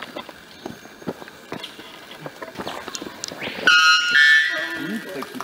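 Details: White bellbird (Procnias albus) in Carajás National Forest, Parauapebas, Pará, Brazil, July 2014, giving one loud, ringing, metallic call near the end after low murmuring voices and faint clicks; its wattle still short and white.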